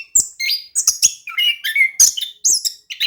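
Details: Orange-headed thrush in energetic song, used to draw a quiet bird into singing; short varied phrases mixing high piercing notes with lower slurred whistles, fast-paced.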